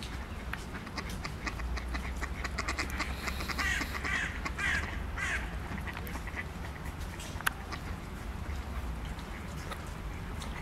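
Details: Displaying common goldeneye (Bucephala clangula) courtship calls on 21 February 2021: short, dry clicks and buzzy, rasping notes scattered through the clip, over a steady low rumble of wind and water.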